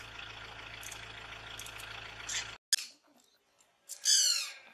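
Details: A Great Barbet (Psilopogon virens) sitting in a tree in Namdapha National Park, Arunachal Pradesh, calls over a steady hiss. After a brief cut, a harsh, loud burst follows near the end.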